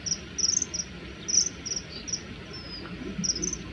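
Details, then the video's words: Common kingfisher males clash over territory, hovering and chasing in flight, uttering sharp high-pitched piping calls in quick irregular clusters over a low continuous rushing sound. "カワセミの鳴き声04 【華麗な空中戦】雄の縄張り争いで喧嘩"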